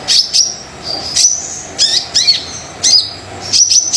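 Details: Brown-throated sunbird singing briskly, used to prompt reluctant birds to sing: very high, sharp chirps and thin whistled notes with quick downward-sweeping slurs, given in short bursts about every half second to second.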